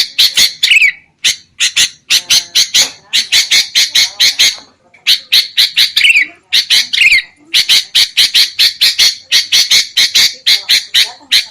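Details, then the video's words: Sooty-headed bulbul used as bait for trapping: long, nearly continuous sequence of harsh staccato chatter with short breaks and occasional downslurred notes. "SUARA PIKAT BURUNG KUTILANG"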